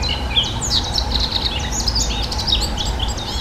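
A Eurasian blackcap sings a rapid, varied warble of clear fluting notes and chatter, over a steady low rumble of background noise.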